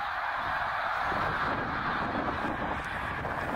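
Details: Massed snow geese on migration at Middle Creek, Pennsylvania, in 2023, tens of thousands of birds together; a steady roar of countless overlapping honking calls that builds slightly after the first second and then holds.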